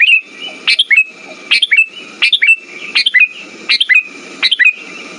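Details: Looping Sooty-headed bulbul song for coaxing silent birds to sing, made of quick bubbling whistled phrases repeated almost every 0.7 seconds, with a steady high-pitched hum and a gritty low hiss between phrases.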